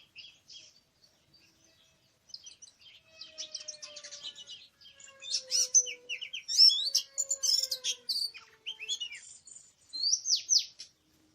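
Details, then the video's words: Oriental magpie-robin singing in the wild in a forest on 24 March 2017, during bird trapping: a rich, varied run of sweet whistles, quick chirps and sliding notes, soft at first and then loud, with a faint low steady whistle underneath. "Oriental Magpie-Robin:Chirping In The Exciting Wild"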